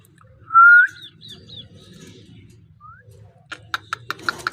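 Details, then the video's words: Parrot indoors producing a loud, steady whistle that slides upward, a few soft chirps and a brief rising note, then a quick series of sharp clicks. "Amazing parrot voice talking sound parrot"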